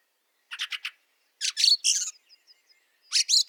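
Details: In Latvian snow at Liepāja in March 2023, a Fieldfare gives a triple chack, then two louder, longer harsh chattering bursts, with faint high ticks between them.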